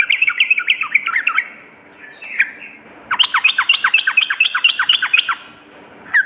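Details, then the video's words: Lure and tutor song of a sooty-headed bulbul, morning and night: a jumble of fast chirps, a pause with a faint note, then a long, steady train of sharp, downward-flicking notes, and one more note at the end. "suara pikat dan masteran burung trucuk gacor pagi dan malam"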